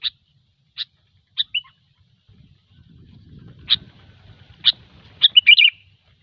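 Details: Sooty-headed bulbul in gecor style, used as a lure sound: sharp isolated chips around 4k spaced over several seconds, ending in a quick bubbling warbled phrase, with faint low rumbling in the middle.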